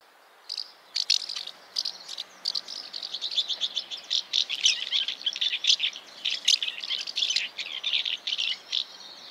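House martins give a busy stream of dry, chirruping twitters, short high notes running together almost without pause for the whole stretch.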